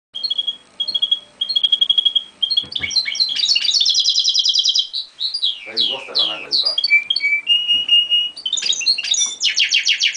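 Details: A European goldfinch × canary hybrid, recorded in 2000, sings a fast, varied song of high twitters, buzzy trills, rolling notes and slurred whistles, delivered almost without pause.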